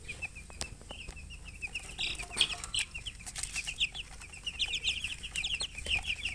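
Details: Thirsty baby chickens peeping for water, a dense run of short high downslurred chirps from several chicks, growing busier toward the end, over steady background noise and clicks.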